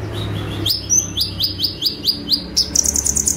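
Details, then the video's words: High-pitched sunbird song in the "tembakan" style, recorded as training material for cage birds: a string of quick upslurred whistled notes about every quarter second, ending in a rapid shrill trill. "KONIN GACOR FULL TEMBAKAN"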